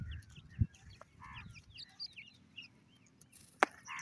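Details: Irani teetar (partridge) chicks call for their mother with thin, high peeping chirps, several overlapping in quick bursts, over low rumbling background noise and a couple of sharp knocks.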